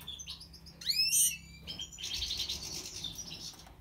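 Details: Major white-throated goldfinch in song: a few high chips, then a loud rising run of liquid tinkling notes, followed by a fast buzzy twittering trill that fades out.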